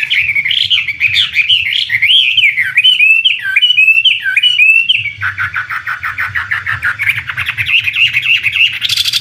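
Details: Chinese hwamei, a premium imported competition songbird, delivering rich looping whistles and warbled phrases, then a long rapid buzzy trill of repeated notes; low hum in the background.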